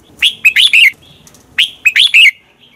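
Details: Lively red-whiskered bulbul fighting song used for training birds: two fast phrases, each of four sharp, bubbling whistled notes rising and falling, about a second and a half apart.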